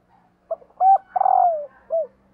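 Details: Low cooing phrase of a female spotted dove luring males: a brief note, a firm coo, a long drawn-out falling coo, and a short closing coo.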